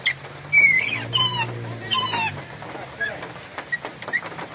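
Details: Loud, sharp Moluccan lory cries: two bursts of harsh, grating screeches, then scattered short chirps, with a low droning hum underneath.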